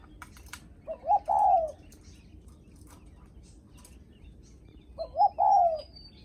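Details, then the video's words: Spotted dove giving the 'greeting visitors' coo (cu gáy khách). Two mellow cooing phrases about four seconds apart, each a short stuttered lead-in followed by a longer falling coo, over quiet background. "Tiếng Chim Cu gáy khách có khách đến nhà là gù cực chất cu gáy chào khách"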